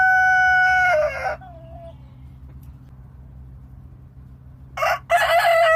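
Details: A domestic rooster finishes a loud crow with a long held, falling note, pauses in near silence for about three seconds, then bursts into the harsh opening of another crow, over a faint steady hum.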